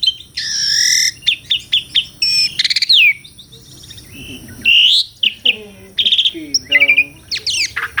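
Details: Asian pied starling (jalak suren), a captive bird in full song: varied harsh bursts, whistled upslurs and rapid chattering notes mixed with buzzy noisy phrases, loud and continuous.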